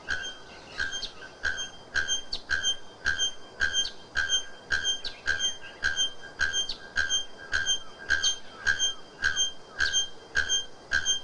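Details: Bare-throated bellbird, the white-plumaged male with bare greenish throat, repeating a sharp metallic clank about twice a second in a steady, regular series for over eleven seconds, each note ringing with bright overtones above a low background hiss.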